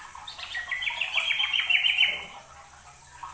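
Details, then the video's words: Busily singing yellow-vented bulbul, recorded as a master track for training songbirds: one loud, continuous bubbling, chattering phrase lasting about two seconds, then fading into a low background hum. "kicau burung trucuk rajin bunyi"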